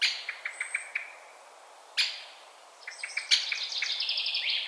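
Eurasian sparrowhawk giving sharp, mid-high kek notes, first spaced out, then a fast chattering run at the end; a faint thin whistle sounds above.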